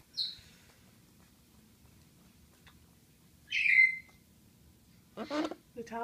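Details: Pet military macaw indoors in a bathroom, playing with towels; a few short high squeaky whistled calls, one sharp descending note in the middle, then a person's voice at the end.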